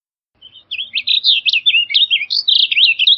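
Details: Rich, hurried warbling from a Blue grosbeak, a chain of short, sweeping notes that starts softly and quickly grows louder.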